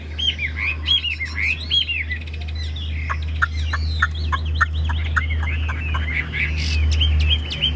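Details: Caged Chinese hwamei kept as a songbird, singing a fast, varied run of clear, arched whistled notes in quick succession, then a burst of sharp downslurred notes and more looping whistles, over a steady low hum.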